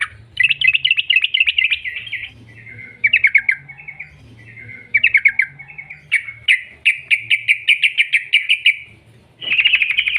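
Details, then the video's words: Lure recording of an energetic Sooty-headed bulbul singing the long rolling style meant to make other birds sing: clustered bursts of quick chattering trills, then a long run of sharp, evenly spaced notes, ending in a dense buzzy trill, with faint low hum beneath. "TRUCUK Gacor ROPEL PANJANG pancingan trucuk agar BUNYI"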